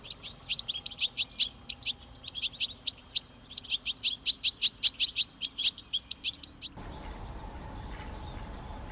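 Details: European greenfinch singing a long, fast, rhythmic trill of high chirping notes repeated several times a second for about seven seconds, then an abrupt cut to quieter background with a couple of faint high notes.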